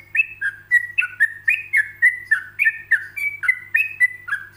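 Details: Yellow-vented bulbul singing a relaxed ropelan-style song meant for other bulbuls to copy: a quick, bubbly run of short whistled notes, each sliding down or up, about four per second with no gaps, over a low steady hum.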